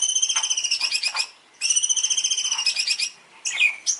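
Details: Champion Long-tailed shrike master song: two long, fast, evenly pulsed whistled trills lasting about one and a half seconds each, then a pair of short sharp sweeping notes. Faint hiss behind.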